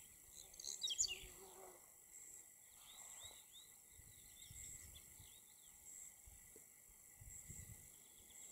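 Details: A meadow pipit (Anthus pratensis) gives a thin, high, squeaky call burst near the start, with faint warbling from other birds and a steady insect drone underneath.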